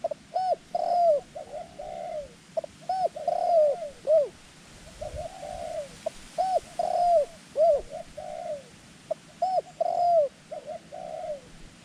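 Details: Decoy dove calling to lure wild doves on the ground: clear, arched coos in short bursts of three to four notes, each burst separated by pauses of about two seconds, sounding crisp over quiet rural background.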